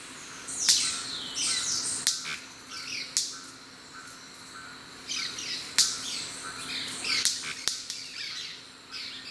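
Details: White-bearded manakins displaying at their lek beside the Discovery Trail at Asa Wright, Trinidad, snapping loudly and sharply a few seconds apart, mixed with high buzzy chattering; a steady low hum runs underneath.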